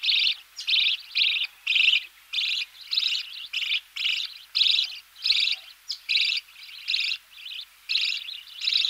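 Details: Nestling budgerigars being fed give a continuous series of short, harsh, buzzing squeaks, roughly one or two each second, loud and close.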